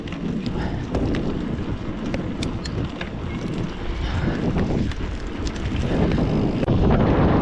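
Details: Heavy wind buffeting the microphone with low rumbling and faint clicks of a bicycle; no animal sounds are heard.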